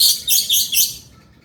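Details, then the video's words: Male lovebird giving a brief burst of four rapid, very high, harsh squeaky notes, fading out within about a second. "SUARA BURUNG LOVEBIRD GACOR JANTAN"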